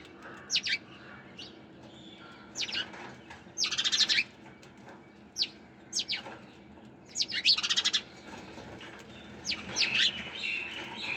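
Sparrows give bright, sharp chirps in bursts every couple of seconds, some quick runs of repeated notes, over a soft background hum.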